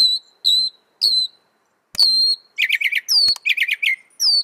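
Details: Varied Northern mockingbird phrases: clean, high whistled slurs with descending tails, then a rapid stuttering series of rough notes and another rising whistle.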